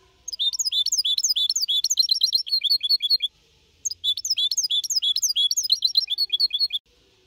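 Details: Four-and-a-half-month-old goldfinch hybrid singing clean in Malaga-copy style, used to motivate other birds; two long bursts of quick, bright twittering notes with ringing repeated elements, separated by a short silence.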